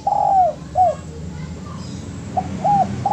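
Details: Spotted dove coos for training birds: a long, soft falling coo and a shorter one, then the start of another phrase. A faint low hum runs in the background.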